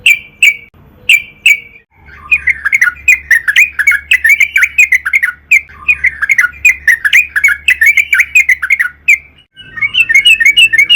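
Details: Yellow-vented bulbul in energetic 'gacor' song meant to lure others: two sharp introductory notes, then a long jumbled chatter of quick chirps and squawky notes, ending in a fresh burst after a short break.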